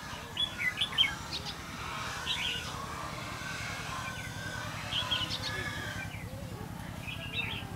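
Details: Red-whiskered bulbul during trapping on 5 November 2016, giving brief chirpy warbled phrases in scattered bursts, several close together early on and then spaced a few seconds apart, against a continuous low droning background.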